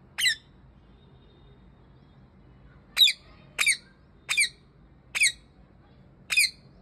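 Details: Parrot sitting in a tree, giving six short harsh squawks spread over about seven seconds, each a sharp burst with rich layered overtones, separated by quiet pauses with a low steady background hum.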